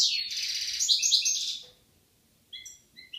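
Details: European goldfinch, one of a pair in Algeria, 2016, delivers a dense burst of rapid tinkling trills for about a second and a half, then falls quiet before a few sparse clear notes.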